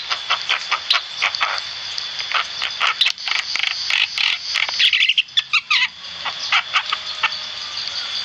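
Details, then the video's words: Black-winged myna, described as lively and vocal, in tutor audio for songbirds: dense scratchy chatter with rapid clicks and squawky notes, a louder grating burst midway, over a steady high hum. "Masteran burung jalak kebo gacor"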